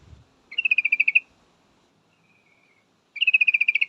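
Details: A female yellow-vented bulbul calls for a male with two rapid rattling bursts of about ten bright, clipped notes each, separated by a pause holding a faint thin whistle.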